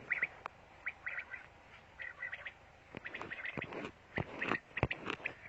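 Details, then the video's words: Pakistani quail calling with clipped, grating note groups that grow denser toward the end, mixed with loud thumps and handling knocks close to the microphone. "Bater Ki Latest Awaz,بٹیر سونگ/ Batair Amizing Song in urdu/Pakistani Batair song"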